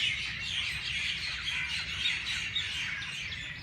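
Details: Many birds chirping early in the morning at the Race Course, Jilani Park, Lahore: a dense, continuous wash of high twittering and squeaky notes overlapping without pause, over a low background rumble.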